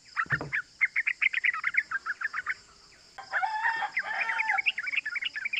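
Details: Yellow-vented bulbul calling rapidly in 'cuk cuk' bursts, a lure recording meant to stir other bulbuls to respond; a quick run of short, clipped notes gives way to a denser, louder burst of chatter.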